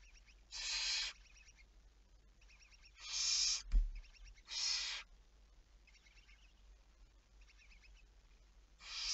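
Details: Harsh barn owl hisses, four loud breathy bursts over nine seconds, recorded 11 May 2019 at 23:34. Faint rapid ticking chatter sounds between them, and there is a brief thump near the middle.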